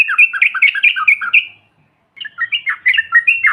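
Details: Yellow-vented bulbul chattering to provoke other birds: a jumble of quick, bubbly whistled notes, silence, then a second chattering phrase.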